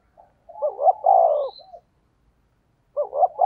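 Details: Spotted dove calling in the 'thúc gù' style that lures wild doves: a soft intro note, rising double hoot and long mellow downslurred coo with a short tail, then the next phrase starting.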